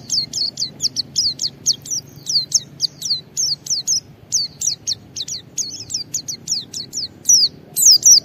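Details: White-eye song in the 'ngalas' style, played as a lure for other white-eyes. A rapid, even string of high, down-sweeping chirps repeats steadily, about three per second, and turns into a busier flourish at the end.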